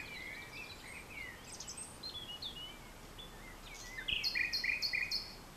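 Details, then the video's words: Common nightingale at dusk, France, 22 April 2020, farmland-edge vegetation: soft varied whistles and slurred notes, then a loud repeated phrase of crisp high double chirps, about four per second. "Nightingale France"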